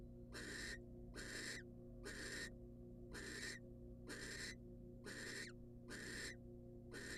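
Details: Female barn owl, wild, in a research nest box as the male delivers a rat: a steady series of eight breathy, snoring screeches, each under half a second, coming about once per second.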